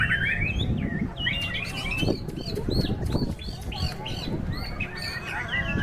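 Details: Shama song in a contest during strong wind: bright looping whistles and chirps in quick succession, mixed with thumping gusts and what sounds like wing flapping.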